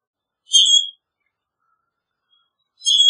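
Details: Common grackle giving two short shrill, metallic squeaks about two seconds apart, high and slightly rasping.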